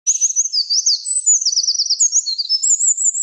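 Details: A Eurasian wren sings from a song post in forest by a mountain stream in western Japan on 31 March 2013: a loud, very high, unbroken torrent of sharp notes and fast rattling trills, run together at a hurried pace with no pauses.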